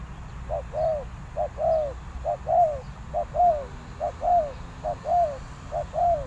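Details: Spotted dove decoy calling to attract wild doves, seven evenly timed two-note coos, short then long and falling, over a quiet low hum.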